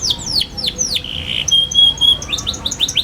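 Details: Young canary twittering busily, a recording meant as a lure for young canaries learning to sing: rapid high downslurred chirps, then a sustained whistled note around the middle, ending in quick bright chips.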